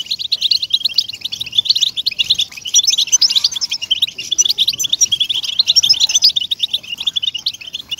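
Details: European goldfinch song for stimulating caged birds to sing. Quick, ringing, high chirps and trills run together in a lively, unbroken chatter, with a quiet background beneath.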